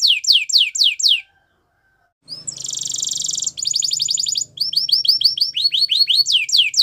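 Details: Canary singing a training song: a run of descending slurred whistles, a short pause, then a rapid buzzy rattle, a quick trill, and a series of repeated falling whistled notes, with faint low background hum.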